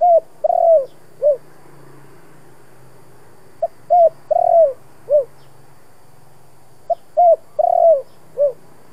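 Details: Spotted dove lure song in the 'thổ' voice: three repeated phrases roughly every three seconds, brief lead-in notes building to a long rolling coo and a falling last note, with a faint low hum beneath.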